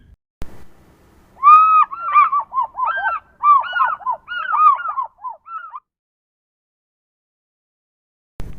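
African Fish Eagle giving its ringing, yelping call: a loud first note, then a quick run of about a dozen clear, falling yelps over four seconds.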